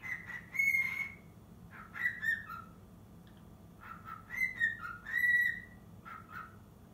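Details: Cockatiel of six months practising the Totoro melody: two bursts of whistling separated by silence, each a sequence of long high notes falling to shorter lower ones.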